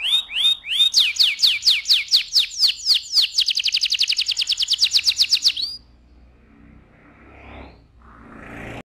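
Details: Canary delivering a loud rolling song: repeated whistled notes, then a long series of sharp downslurred high notes that quicken into a fast even trill, stopping abruptly before faint background noise.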